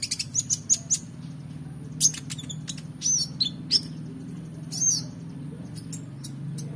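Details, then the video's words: Van Hasselt's sunbird singing excitedly for use in training competition birds: scattered piercing high chirps and brief squeaky twitters with short pauses between phrases, steady low rumbling noise underneath. "KONIN GACOR EMOSI FULL BONGKAR ISIAN MEWAH‼️Cocok Untuk Masteran Burung Lomba"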